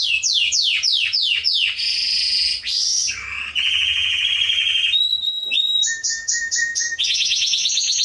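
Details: Canary singing to train young birds, opening with fast falling notes, then buzzy rolls, a gliding swoop, a lower warbling trill, pure whistles and a closing fast trill.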